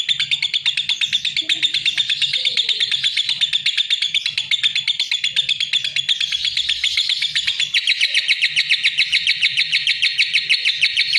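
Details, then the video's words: Lovebird giving a long, unbroken chatter of sharp, high chirps in quick succession, steady throughout and shifting to a slightly lower, denser pulse near the end. "Suara Kicau Burung LOVEBIRD"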